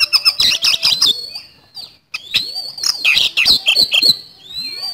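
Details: Loud, dense song of a white-rumped shama, rapid high chips and trills merging into a long sweeping whistle, then more scratchy rattling phrases.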